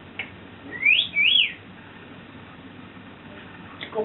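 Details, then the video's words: Pet African grey parrot known for swearing and rude noises, indoors: two loud, clear whistles, each sweeping up and dropping back, one right after the other, then faint scraps of sound. "Swearing African Grey Burping & Farting"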